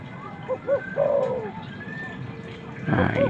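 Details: Spotted dove, male calling a female to bring wild birds closer. Two short hoots and a long descending coo, then another phrase begins under a burst of low rumbling noise.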